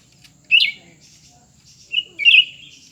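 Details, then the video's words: Cucak ranting in a face-off between a new bird and an old one; a quick chattering burst, then after a pause a short whistle leading into a longer warbled phrase, background quiet apart from faint hum. "pertarungan antara dua burung cucak ranting baru dan lama"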